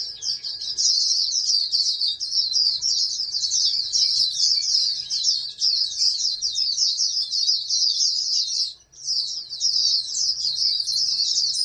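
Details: Long, rapid, high-pitched twittering song of a captive-bred oriental white-eye meant for national contests, flowing almost nonstop, with one brief silence before the chatter resumes.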